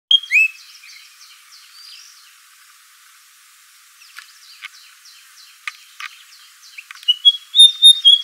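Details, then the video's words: White-browed fantail (Rhipidura aureola) song: clear, high whistled notes that rise and fall, loud at the start and end, with fainter, quicker phrases between. "White-browed Fantail Song"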